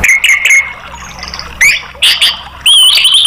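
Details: Orange-headed thrush singing to prompt caged birds: clear whistled notes repeated quickly, then louder bursts of clicking warbles and a long rich whistled phrase at the end.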